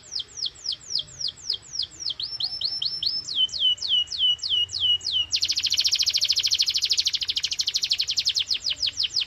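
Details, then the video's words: Full-power canary song, played as a stimulus to coax silent or young canaries into singing: a string of descending whistled sweeps in steady rhythm, then a loud, dense, buzzy rapid trill. "Canary singing FULL POWER 🙌| Canary singing sound"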